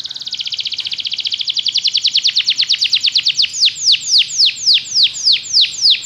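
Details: Belgian canary singing as a training example for other canaries: a rapid high trill of downward-sweeping notes that gradually slows and broadens into louder, spaced falling sweeps, about two per second by the end.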